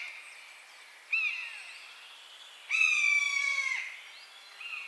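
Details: Buzzard calling in its natural habitat: a faint, short high mew, then a louder, drawn-out harsh mewing note that slides slightly downward before another faint call begins at the end. A steady background hiss runs throughout.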